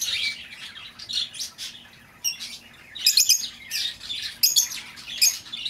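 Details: Lovebird chatter used to call back an escaped bird: soft twittering at the start, then louder, harsh, high chirp bursts repeating through the second half.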